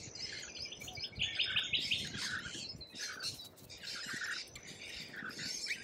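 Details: Lorikeet in Australian wildlife: shrill, high screeching chatter from several birds, with a quick run of sharp trilled notes early on, then overlapping rasping squawks and chirps continuing throughout.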